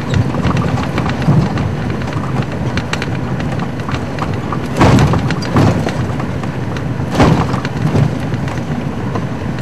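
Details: Rumbling wind and vehicle noise on a sunset drive, broken by heavy thuds near five and seven seconds, with no animal calls.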